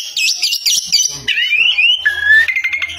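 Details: Oriental magpie-robin in loud song: quick looping high whistles, then long clear slurred whistles rising and holding steady, ending in a short trill.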